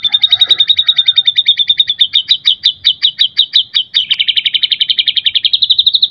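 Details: Loud, rapid trill from a white-rumped shama in full isian song, used as a lure to make other birds sing: steady high notes repeated about six times a second for over six seconds, rising slightly at the end.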